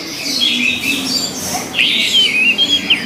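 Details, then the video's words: Orange-headed thrush singing: high, clear whistled phrases with sliding notes, in short bursts separated by brief pauses, over a faint background hiss. "SUARA ANIS MERAH"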